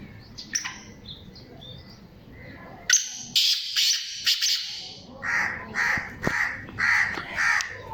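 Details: Calling black francolin, a Sheedi Gangas type kala teetar described as mastail: scratchy broadband bursts, then a run of five grating, evenly spaced harsh notes, with faint chirps from other birds early on.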